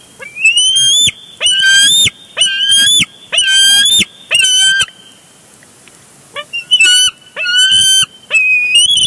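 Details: At a Big Bear Lake nest in June 2022, a bald eagle wrestles its mate for a large fish, filmed on a live camera: shrill, squealing, rising calls in bursts of about a second, repeated with a short pause midway.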